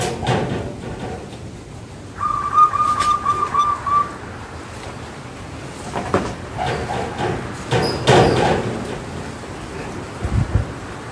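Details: A wild female zebra dove in breeding condition came down to a local male being sunned, and they coo together: a soft, beaded, trilling coo held about two seconds, then shorter mellow notes, over steady background noise.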